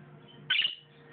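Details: Pet bird calling for a companion in another room: two loud, harsh high chirps, the second cut short, over a low steady hum.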